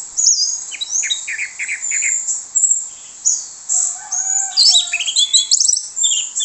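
Orange-headed thrush singing a rich, high, varied song of quick whistled phrases and sharp slurred notes, delivered in bursts with brief pauses.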